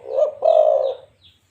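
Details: Local zebra dove giving a short, soft, mellow coo: a brief note, then a longer sustained humming tone lasting about half a second.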